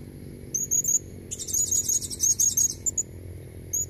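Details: Female blue-crowned hanging parrot calling to draw in red-necked males: a short high chirp run, then a dense burst of rapid shrill twitters, ending with a lone high note.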